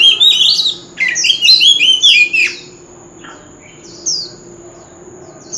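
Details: Mature wild oriental magpie-robin singing loudly over a street corner: rich bursts of whistled and warbled notes that sweep up and down, then a pause with a few faint high downslurred notes. A steady high electronic whine runs throughout.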